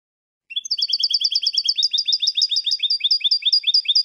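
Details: Teaching recording of European goldfinch song: a long, steady series of paired high chirping notes repeated about twice a second, bright and metallic, starting after half a second of silence.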